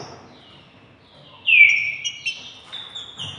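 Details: A one-and-a-half-year-old captive male green-winged saltator, after a quiet second, gives a loud, rich whistled phrase that slurs downward, then adds several shorter, bright whistled notes.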